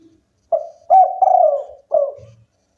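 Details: Local spotted dove singing strongly, giving one phrase of mellow coos: a brief note, a longer one, an extended quavering coo, then a lower falling final coo after a short gap.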